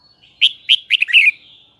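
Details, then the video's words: Red-whiskered bulbul of Hue origin, caged, giving one loud, clear, high whistled phrase of four or five quick warbled notes that slur together, bright and ringing. "CHÀO - MÀO - HUẾ Bung giọng nghe cực đã || Giọng cao kép xoắn nghe mãi không chán"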